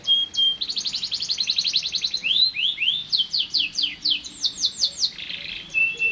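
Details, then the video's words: Canary in continuous song: rapid high trills of repeated notes, then a run of downward-sweeping whistled slurs, more fast trill phrases and a buzzy burst near the end. "٣٠ دقيقة تغريد مستمر ورائع مهما كان نوع الكناري خاصتك سيبدء بالتغريد"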